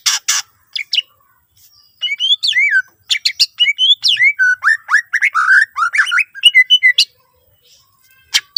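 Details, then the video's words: Greater green leafbird in full, energetic song used as a lure to prompt other leafbirds to sing: varied whistled notes sliding down and up, quick chirps and harsh buzzy bursts in a rich rapid medley, with short pauses. "cucak ijo gacor full isian mewah sangat ampuh pancing c ijo lain agar ikutan rajin bunyi"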